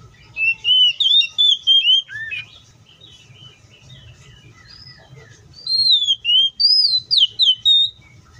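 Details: Wild Oriental magpie-robin delivering two bursts of rich whistled song, sweet notes sliding up and down, separated by a few quiet seconds with faint background chirps and low rumble.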